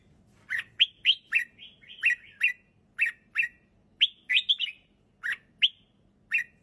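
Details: Red-whiskered bulbul, a kept songbird, singing a lively song of short, bright chirped notes, each sharply rising then dropping, delivered in quick bursts and pairs with brief gaps, over a faint low hum.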